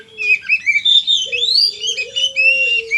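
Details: Oriental magpie-robin (kacer) singing in the chatty 'gacor konslet' style: a dense, unbroken stream of varied whistles and scratchy twitters that sweep up and down, with a steady low hum running underneath.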